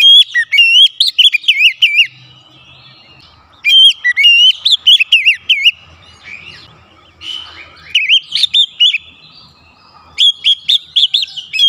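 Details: Song of an Oriental magpie-robin, a pet bird, meant to spark singing with varied fill-ins: energetic clusters of high whistled, warbling notes arriving in four separate bursts, with softer chatter between them.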